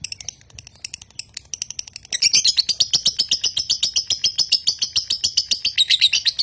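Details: Konslet lovebird, a Nganjuk-bred bird, in continuous song. Quieter chatter rises after two seconds into a loud, high, buzzy trill of rapid repeated notes, roughly four per second, running to the end.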